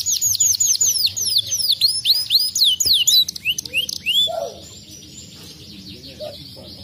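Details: A crested canary, a fighter type, sings a rapid, continuous run of high, sweeping whistled notes and trills, about four per second, then fades to faint chirps.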